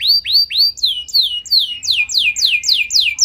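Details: Canary singing to trigger replies from other canaries: curved rising whistles give way to a rapid series of downward-sweeping notes, loud and repeated several times a second.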